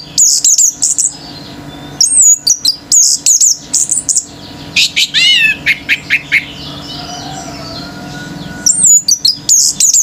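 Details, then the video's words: Orange-headed thrush, a male, in full, vigorous song meant to stir other birds to join in. Bursts of high, squeaky whistles and quick staccato notes come in short phrases separated by brief pauses, with one cascade of down-slurred notes midway. "ANIS MERAH GACOR TELER‼️BURUNG LAIN IKUT NGAMUK‼️"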